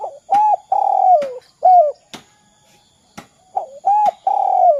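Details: Spotted dove in the 'kuk 2' calling style, used to get other doves calling. Groups of warm coos, some long and gliding down, others short and arched, are broken by sharp clicking taps.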